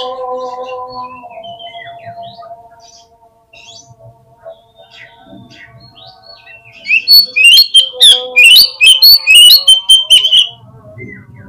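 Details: Oriental magpie-robin song used as a lure to make birds respond quickly and open their tails; steady low tones for seven seconds, then a loud burst of rapid, sharp, varied whistled notes repeated in quick succession.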